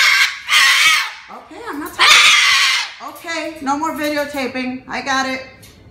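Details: Pet cockatoo indoors yelling at its owner for filming it: two loud, harsh, raspy screeches, each about a second long, followed by a run of lower voiced, talking-like sounds.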